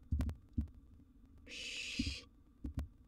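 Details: Wild barn owl chick in its nest box at mealtime with a gerbil, one raspy hiss in the middle, framed by loud thuds and scraping movement noises.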